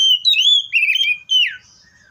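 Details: Seychelles magpie-robin delivering a short loud run of clear, sliding whistled notes that rise and fall, ending in a descending slur.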